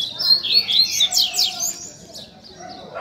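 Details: Rusty-collared seedeater tutor song for teaching young birds: rapid high warbled phrases with sliding whistled notes and fast trills, then a quieter trailing section.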